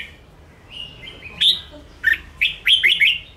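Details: Red-whiskered bulbul kept in a cage, singing to stir up and train other birds: soft thin notes at first, then loud whistled chirps in quick uneven bursts, rising and falling in pitch.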